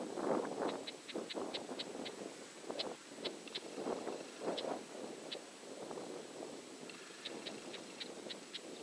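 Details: An angry Red-backed shrike, waving its tail, gives short, sharp ticking calls in quick bursts of three to six, over a harsh, rough lower chatter and a steady background rush.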